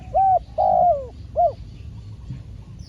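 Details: Spotted dove, a trained decoy bird taken out during trapping, gives three clear low hooting coos in about 1.5 seconds: two drawn-out notes followed by a shorter third, over quiet rural background hum.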